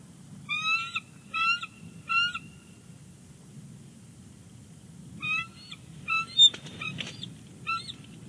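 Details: At Big Bear Lake on 25 January 2020, a nesting bald eagle vocalizes while its mate comes back to sit on the eggs: repeated short, squeaky piping bursts in quick groups, with a brief scraping noise midway.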